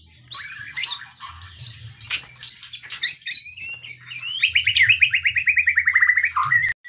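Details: White-rumped shama song used as a training recording to provoke and teach other birds to sing: rich mix of quick whistles, slurred notes and sharp chips, ending in a long rapid descending trill of repeated notes, with faint low hum beneath.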